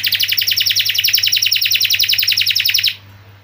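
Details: Canary delivering a rapid, even, buzzy roll of high pulsed notes at about three and a half per second, ending abruptly after three seconds, with a faint low hum.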